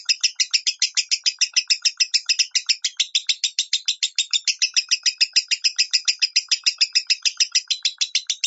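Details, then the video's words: Lovebird singing in the 'minor' style used as a master recording for training other lovebirds: a rapid, steady run of harsh, buzzy chirps, about three to four per second, continuing unbroken for the whole stretch. "MASTERAN LOVEBIRD SUARA MINOR"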